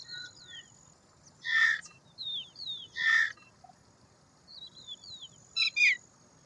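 Indian roller giving loud, harsh rasping croaks, about three bursts spaced a second or two apart, among thin high twittering notes from smaller birds and a faint steady insect whine.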